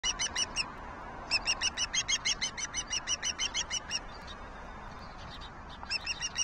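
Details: Juvenile osprey viciously attacking its sibling, recorded June 6: bursts of sharp, high whistled chirps repeated rapidly, about three per second, in runs with short pauses, over a low background rumble.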